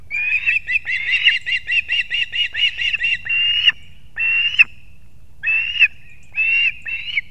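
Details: Osprey nest in Kurzeme, Latvia, 6:40 am, 3 September 2024, the father bringing two fish at once for the chicks; an even run of quick piping whistles, then a few longer separated squeals.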